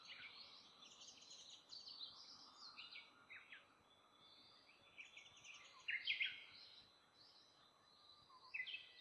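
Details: A brown-eared bulbul coming for fruit calls with harsh, grating notes throughout and a loud sharp burst about two-thirds through, then another near the end; faint chirps in the background.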